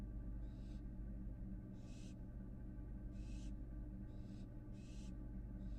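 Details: American barn owl fledgling on a Florida nest box camera, back in the box after venturing outside: breathy, hissing bursts of about a third of a second, repeated irregularly, over a steady low electrical hum.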